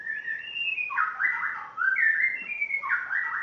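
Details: A spotted morning-thrush from Tanzania, newly arrived in its home, sings continuously: warbled, melodious whistles that slide up and down in a loud, unbroken run.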